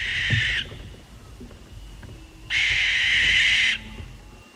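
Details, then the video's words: Real barn owl calling at night: two harsh, rasping broadband screams, the first brief and cut off at the start, the second about 1.2 seconds long after a quiet gap, with faint low rumble between. "imagine yourself standing in a quiet field under the moonlight as the scream of the barn owl echoes in the darkness."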